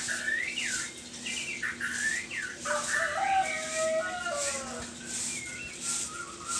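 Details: White-rumped shama singing in the morning: a run of clear, whistled notes sweeping up and down, some high and slurred, others lower and drawn out, with a soft steady hum underneath.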